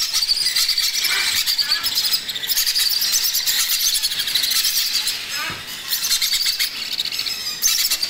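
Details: Macaw chick during feeding, a harsh, noisy stream of high squealing pulses that rarely pauses, dipping briefly midway before resuming at full intensity.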